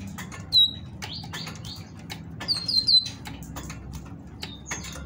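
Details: Female great tit singing to stimulate males to sing: short high whistled notes, one sharp descending note early, then a quick cluster of bright notes near the three-second mark, over soft background clicks and tapping.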